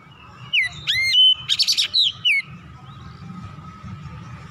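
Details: Oriental magpie-robin, worked up and showing off its full repertoire of song: looping, bending whistles, then a dense buzzy rattle and two falling notes, followed by a quiet stretch with a low steady hum.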